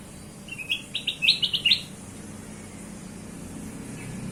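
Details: Kutilang emas bulbul song used as a lure for other birds: a quick run of bright, chirpy notes that climb in pitch over about a second, then quiet with faint low background hum.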